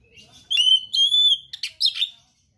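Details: Oriental magpie-robin singing: a long clear whistled note held steady, then short buzzy chattering phrases, with a faint low hum beneath.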